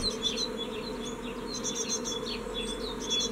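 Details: Great tit nestlings fledging from a nest box, 14 May 2017, only one young bird willing to leave; rapid high, thin chirps and sharp clicks in quick clusters above a constant buzzing hum.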